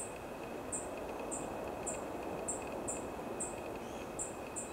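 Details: Black-faced bunting in Chiba Prefecture, Japan, recorded on 29 December 2020: thin, high, sharp call notes repeated irregularly about twice a second over a steady mid-pitched hum and broad background rumble.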